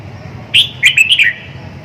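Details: A single loud, sweet phrase from a red-whiskered bulbul, a bright whistle followed by a quick run of slurred, descending notes, over a soft low hum.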